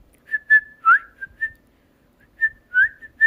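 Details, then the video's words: Pet cockatiel being trained indoors to talk and sing, giving a string of short clear whistles. Level notes alternate with a few upward-slurred ones, in two bursts separated by a silent gap of about a second. "تعليم طائر الكوكتيل الكلام والغناء"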